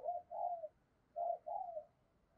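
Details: Spotted dove decoy heard at a distance, its calls used to attract wild doves: two pairs of low, soft coos, each a short note then a longer one, over a steady background hiss.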